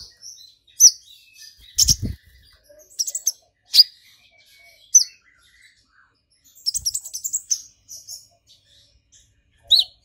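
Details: Excited brown-throated sunbird with a golden grasshopper mimicry fill, calling in scattered sharp high chips and short twittered runs, with a low thump near the start and quiet gaps between phrases.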